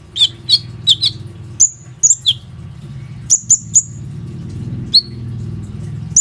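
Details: Plain-throated sunbird performing as a lure for other sunbirds, recorded on an Oppo A37f phone. A run of sharp, high chirps in quick clusters, then scattered single whistles, with a steady low hum underneath.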